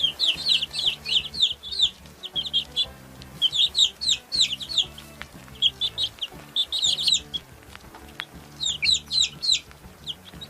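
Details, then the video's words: Chicks cheeping in rapid runs of thin, high, down-slurred notes broken by short pauses. Gentle low background music hums steadily underneath. "Som de PINTINHO PIANDO"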